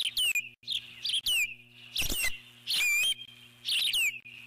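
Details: Eagle alert calling from its nest at a large intruding bird: high squeaky notes with sharply descending whistled slurs in short bursts, separated by brief gaps, with a low background hum.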